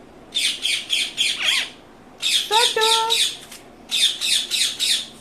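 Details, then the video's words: Indian ringneck parakeet, said to be a talking bird, sending out rapid, harsh, scratchy squawks in bursts of four to five, with a brief tonal human-like note mixed in midway. "natural sound#bolane wala tota#ringneck parrot"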